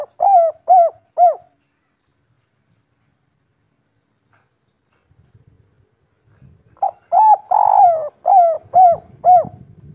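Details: Spotted dove, local 'kuk 3' three-note type from Indonesia, giving three short hooked coos, a long silence with faint low rustling, then a full phrase with a rolling central coo and four clipped coos.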